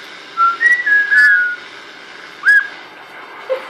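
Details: Pet parrot, a young female learning to whistle for the first time, gives a string of short pure whistled notes indoors, rising then gliding down, followed by a single brief upward whistle after a pause.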